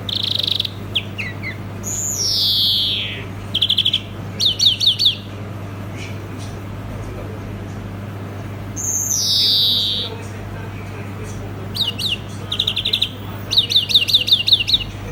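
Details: European greenfinch song mixing fast twittering trills with two long, drawn-out wheezy buzzes that slide downward, separated by pauses; a low steady hum runs throughout.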